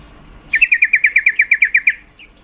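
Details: Yellow-vented bulbul female, calling to stimulate males to breed: one clean rapid series of about a dozen sharp, evenly spaced chattering notes lasting under two seconds, ending with a faint single note.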